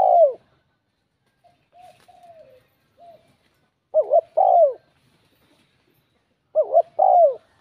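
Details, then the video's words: Spotted dove cooing in a bell-like voice to provoke rival males: loud phrases of a quick double note and a long downslurred coo, about every two and a half seconds, with faint soft coos between. "Giọng chuông thúc gù kích bổi, chim cu gáy"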